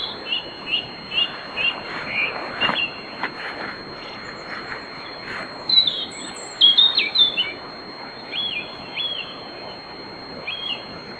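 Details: A European robin warming up in the small hours at a grove in Bóveda, Lugo: a string of short repeated high notes, then a richer twittering flourish and several clear looping whistles.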